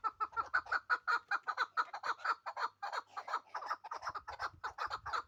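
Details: Pamir chukar partridge calling with steady, hoarse clucking notes repeated in a fast even rhythm, faint low hum at times.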